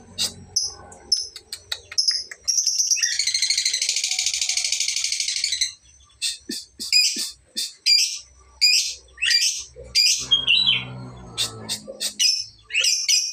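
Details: Lovebird learning to ngekek, its trilling song now growing longer: sharp high chirps open, then a continuous rapid buzzing trill lasting about three seconds, followed by a string of short shrill chips and squeaks.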